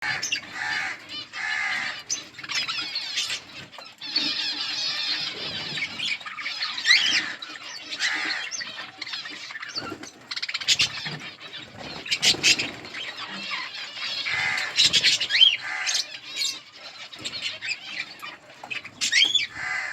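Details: A colony of budgerigars eating green food chatters continuously with rapid, scratchy warbles and sharp chirps.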